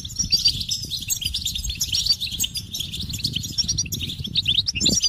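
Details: Rapid high twittering goldfinch song, chirps and trills tumbling together over a constant low rumble.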